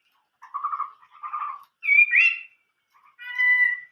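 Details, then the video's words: Chinese hwamei singing the old-forest voice: two soft warbled phrases, then a loud upward-sweeping whistle with a twisting slur, and a final sustained clear whistled note. "chim họa mi hót giọng rừng già"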